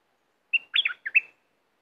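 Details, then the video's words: Red-whiskered bulbul, a fierce caged decoy and competition bird, gives one brisk three-part phrase of bright, bouncing whistled notes, the first a clear steady tone, then quick rising and falling slurs. The background is quiet. "นกดอกแตง เจ้าเงิน รวมความดุของเจ้าเงิน ในสัปดาห์นี้"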